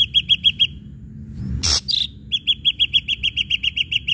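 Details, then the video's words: Ashy drongo singing as a lure to make other birds respond. Runs of rapid, clipped, ringing notes at an even pitch are split by a brief harsh rasping burst and a short whistle. "srigunting abu abu gacor PANCINGAN"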